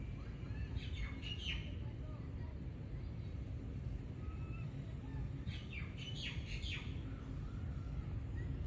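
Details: Two bursts of scratchy, falling chatter from a common myna in Dubai, United Arab Emirates, separated by several quiet seconds, with continuous low traffic rumble throughout.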